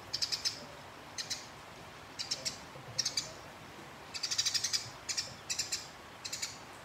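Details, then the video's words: Bursts of harsh, high chirping from house sparrows in a fight, spaced about a second apart, with one longer rolling chatter midway, used to provoke rivals. "Burung Gereja Tarung Ngeroll Konslet Nyerecet Panjang Abis Memancing Lawan Agar Gacor"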